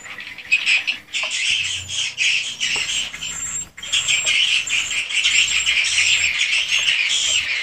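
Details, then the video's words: Inside a swiftlet house, a flock of swiftlets keeps up a shrill, chattering twitter, rising after a brief lull near the middle and then running on unbroken. "REKAMAN SUARA BURUNG WALET ASLI DI RBW SENDIRI"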